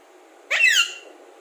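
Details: Alexandrine parakeet known for talking, uttering a single short, loud, harsh squawk that rises sharply and then slides down, lasting about half a second, in a quiet room with faint hum.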